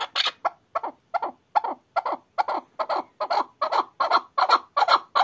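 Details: Chukar partridge calling in a fast series of harsh, clucking chuk notes, about two and a half per second, growing louder and denser over five seconds, with no other sounds.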